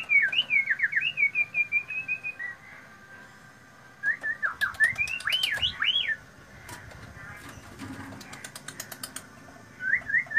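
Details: Loud, ringing white-rumped shama song: wavering whistled notes, then a pause, then swooping rising and falling whistles mixed with sharp clicks, and a short whistled phrase at the end.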